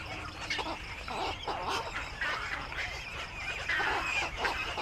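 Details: Black-crowned night herons back at the nest in the evening, giving rough, hoarse squawks in irregular quick bursts, several birds calling over one another above a constant low background rumble.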